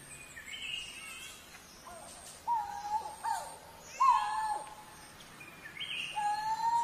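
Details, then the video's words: Coral-billed ground cuckoo giving three loud, level, moaning whistles around 2.5, 4 and 6.3 seconds, each ending in a short drop, with fainter higher chirps and calls from other birds in the background. "เสียงนกโกโรโกโส Coral-Billed Ground Cuckoo Sound"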